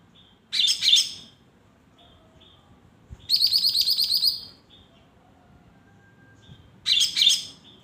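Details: Caged greater green leafbird, bought the previous afternoon, in ngombyok song; three bursts of rapid, varied chattering notes separated by brief thin whistles and pauses.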